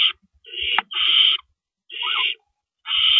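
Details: Owls at their nest before dawn on April 4, 2012, with rabbits being brought in; three long, harsh hissing screeches, the first broken by a sharp click, separated by brief silences.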